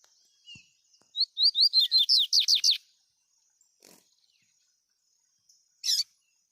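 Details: Double-collared seedeater singing free in the wild, with males and females present, recorded on a mobile phone: a rapid run of high, bright chirped notes for about a second and a half, then scattered clicks and one sharp burst.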